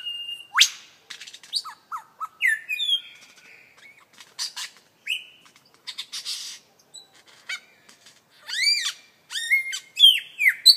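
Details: Beatboxing lyrebird mimicry with a varied mix of clear whistles, sharp downward-sweeping notes, snapping clicks and a fast ringing series of arched calls, delivered irregularly and loudly.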